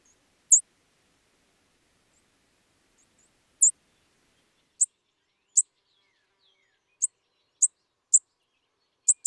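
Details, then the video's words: Spizella sparrow giving sharp, high, isolated chip notes at irregular intervals, roughly one every second, with near silence between them. "Sounds of Spizella, Sounds of the Common Sparrow Bunting"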